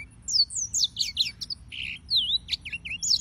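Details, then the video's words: Serinus mozambicus, the yellow-fronted canary, delivering a lively song of sharp high chirps, slurred whistles and buzzy trills that keep going with barely a break. "Suara Burung - (Serinus Mozambicus) White-tipped Green Singers Singing"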